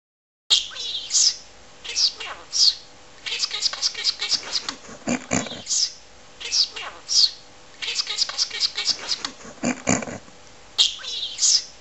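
A budgerigar chatters in rapid, scratchy bursts of mimicked speech mixed with high warbles.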